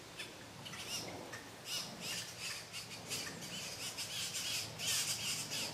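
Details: At a red-bellied grackle nest in Sabaneta, Antioquia, Colombia, three chicks are fed during 2012: repeated coarse, hissing squawks follow each other almost three per second and grow louder toward the end.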